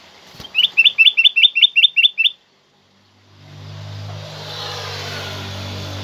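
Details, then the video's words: Black-crested bulbul (kutilang emas), loud and clear, used as a tutor and lure to set other birds singing: eight identical short whistled phrases repeated briskly over two seconds, then silence and a steady engine-like rumble with hiss. "Jadikan kutilang emas anda emosi dengar suara kutilang emas ini"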